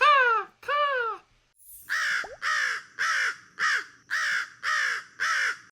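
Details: American crow giving its typical call: two drawn-out, hoarse caws, then a quick run of six harsh, clipped caws at an even pace, about two per second.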